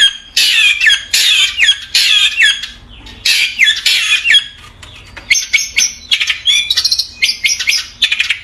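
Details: Long-tailed shrike kept in a cage at a Bondowoso bird seller's: loud, grating squawked phrases in bursts, then a quicker run of high, clipped chirps and scratchy notes.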